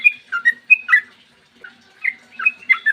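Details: Sooty-headed bulbul singing, its long song used to lure other bulbuls into voice; a few clear whistled slurs, then a pause of about a second, then another quick cluster of bright notes.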